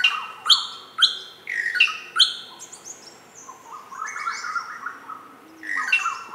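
Greater racket-tailed drongo giving a varied run of loud metallic notes, sharp clicks and ringing whistles, some rising and some falling, with no steady rhythm.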